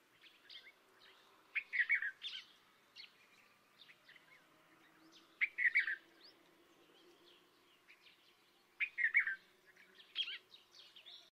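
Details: Red-vented bulbul (Pycnonotus cafer), call.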